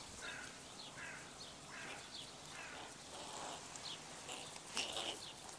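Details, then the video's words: A squabbling gang of young crows, many late-season offspring gathered together near a zoo window. Short, scratchy, arching calls repeat about once a second, with a louder rasping burst near the end, over constant outdoor hiss. "crow teen gang"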